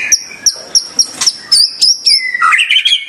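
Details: White-rumped shama with sharp high chip notes repeated about three times a second, then a quick run of higher chirps and a lower whistled warble.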